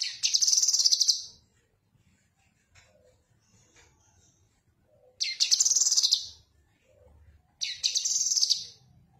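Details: Cucak kinoi singing in recordings meant for tutoring songbirds: three rapid, scratchy, chattering phrases roughly a second long, high-pitched and harsh, spaced several seconds apart, with faint low background hum between them.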